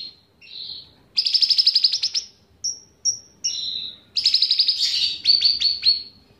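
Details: Actively singing cucak ranting bulbul with cicilin song included: a buzzy note, a fast chattering trill, short thin whistles, a lower slurred note, then more rapid high trills.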